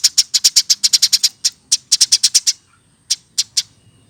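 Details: Hand-reared Eurasian tree sparrow kept in a cage, older than one year. Fast train of bright, piercing chirps lasting over two seconds, followed by a few spaced single notes.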